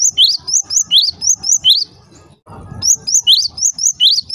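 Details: Java sparrow, with calls meant to rouse other Java sparrows into calling, gives quick runs of bright, upward-flicking chirps, about eight in a row, then a short hush with a soft rustle before another run begins.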